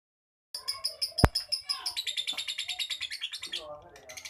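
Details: Lovebird giving a rapid, pulsed chatter of high squeaky notes, about five per second, beginning after half a second of silence, with a sharp click early on and a lower warbling phrase near the end.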